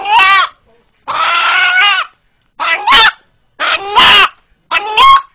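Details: A domestic rooster in Kaliyali village that cries out like this when frightened, a call likened to "Allah Allah", gives five harsh, strained squawks over five seconds, some drawn out and some in quick two-part bursts, with short silences between.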